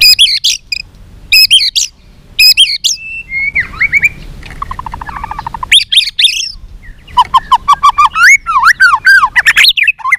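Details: White-rumped shama, tail flicking, singing a combative song in many voices: harsh scratchy bursts, a soft burbling passage, then rapid rhythmic whistled notes rising and falling, loud and clear.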